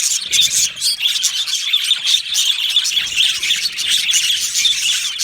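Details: Australian budgies in a colony aviary produce constant overlapping chirps and twitters, a lively high-pitched chatter throughout.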